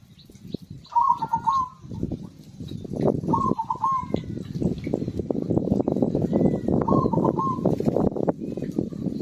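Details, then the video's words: Zebra dove, singing actively to set off silent birds: three short trilled cooing phrases spaced roughly three seconds apart, each a brief rolling burst, over a rising wash of low, rumbling background noise. "PERKUTUT GACOR AMPUH UNTUK PANCINGAN SUARA BURUNG MACET BUNYI"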